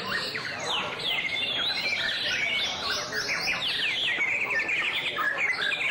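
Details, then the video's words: White-rumped shama giving a song display: a dense, continuous run of varied whistled and warbled phrases, with quick up-and-down sweeps and rapid trills overlapping throughout, against a faint background hiss. "Shama's Song-Display"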